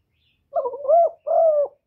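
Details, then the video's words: Caged spotted dove used as a lure, calling without pause to draw in other doves; one low, hooting coo phrase of a quavering rising note and a longer, even, slightly falling note, with no background noise. "CU GÁY LIÊN TỤC KÍCH BỔI RẤT HIỆU QUẢ"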